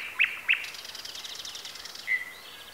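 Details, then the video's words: A bird in Bessarabia, Ukraine, gives two quick, sharp chirps half a second apart, then a thin high whistle, over a soft hiss of background birds and outdoor air. "Sounds of nature. Birds. Звуки природы.Птицы"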